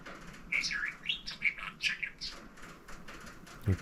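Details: A pet budgerigar talks up a storm from a room downstairs in quick, squeaky bursts of warbled, speech-like syllables, high and scratchy, with short pauses between phrases and a soft click at the end.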